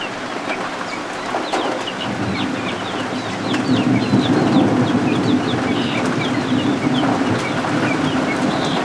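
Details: Baby guinea fowl keets, freshly hatched and sheltering indoors under a heat lamp, give quick thin peeps in loose runs while a thunderstorm rolls low and rain pours outside.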